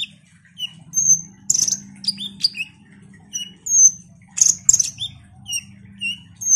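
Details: Ruby-cheeked sunbird: piercing high whistles and descending thin notes, mixed with a few harsh chip bursts, delivered at an uneven pace over a soft low background hum.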